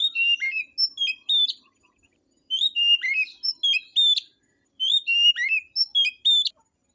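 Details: Oriental magpie-robin, a forest-caught bird singing in the afternoon in full fighting mode: three bursts of clear whistled phrases, about two seconds each, with quick rising and falling notes and short pauses between bursts. No other sounds.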